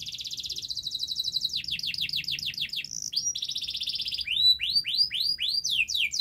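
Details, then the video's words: Canary song used as a lure to make silent canaries sing: a rolling trill, a run of falling whistled notes, a buzzy tour, then loud rising upslurred whistles. "Masteran Kenari Gacor Untuk Pancingan Kenari Macet Bunyi, MalasBunyi Agar Bunyi"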